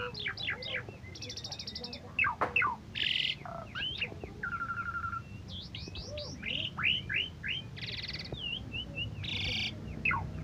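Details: Asian pied starling, a former first-place winner at a 17 August bird contest, singing actively: quick rising and falling whistles, short harsh rattling bursts, a level whistled note, and bouncing chirps, with faint low hum behind.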